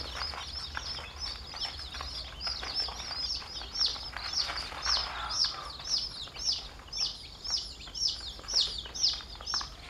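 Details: Chicks in a flock peeping: high, downslurred cheeps repeat about twice a second, growing more regular and pronounced toward the end over a softer background of other chicks.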